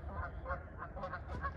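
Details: Canada geese at Deer Lake, Burnaby, British Columbia, possibly two males fighting or else mating, give a rapid run of about six nasal, harsh honks in under two seconds, over a steady low rumble of wind.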